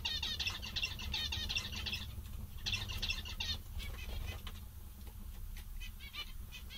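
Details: Zebra finches, said to be very content and amusing, call in two rapid runs of nasal, stuttering beeps, then fall back to scattered single calls, with a low steady hum underneath.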